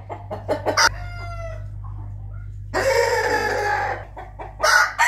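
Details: Rooster crowing in the morning: clucks and short notes, then a loud, drawn-out harmonic crow of about a second, followed by more clucking bursts.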